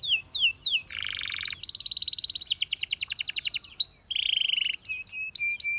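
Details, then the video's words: Canary training song: swooping whistles, a low buzzy roll, then a fast bright pulsed trill, another lower buzz and final sharp rising-falling notes, all loud and close. "The Best Canary Singing Video Ever!"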